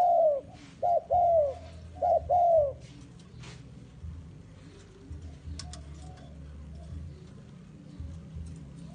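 A Spotted Dove gives a soft, hooting coo in a quick run of four or five notes over three seconds, then falls silent amid faint background noise.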